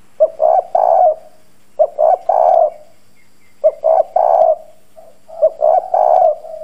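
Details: Spotted dove, a decoy male with a hoarse country-style voice, cooing to lure wild doves: loud three-part coos, a short note then two longer rolling ones, repeated about every one and a half seconds, with a faint steady hum beneath.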